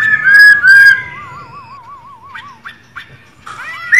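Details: Caged female white-cheeked laughingthrush calling with bright whistles and a long wavering, quavering tone, followed by short sharp notes and a rising whistle. The recording is played to excite males into singing.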